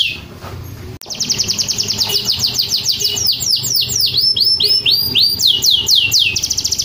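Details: Canary from Rembang singing a rapid, continuous song of high descending whistled slurs repeated several times a second, bright and rolling, starting after a sharp click at one second over a low background hum.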